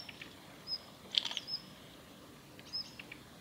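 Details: Female Daurian redstart at the Kita-Fuji training area, Japan, filmed 7 November 2021: thin high whistled 'hiih' notes alternating with a quick burst of dry clicking 'tak-tak' notes, over quiet outdoor background.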